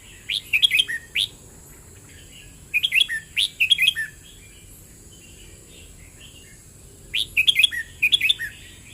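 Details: Red-whiskered bulbul singing three bursts of bright, rapid warbled phrases, each about a second long, separated by pauses of one to three seconds, over a quiet background.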